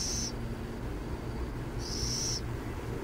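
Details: Burrowing owls near San Jose: two high, hissing screeches about one and a half seconds apart, the second lasting about half a second, above a steady low hum.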